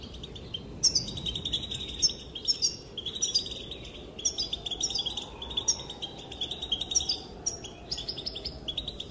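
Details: A female goldfinch calls while males dance; a continuous high, tinkling twitter with scattered sharper chirps runs for about nine seconds over steady soft background noise.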